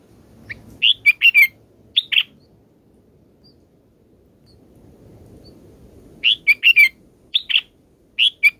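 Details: Baby bulbuls in their nest, fed fruit by the mother bird, give repeated bursts of sharp, high, scratchy chirps in groups of two to four, with a long quiet gap in the middle and faint low rumble.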